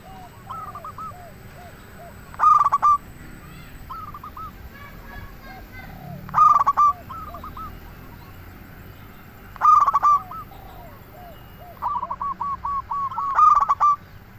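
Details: Local zebra dove lure song: four loud bursts of rapid, stuttering coos roughly every three and a half seconds, with many fainter doves cooing throughout.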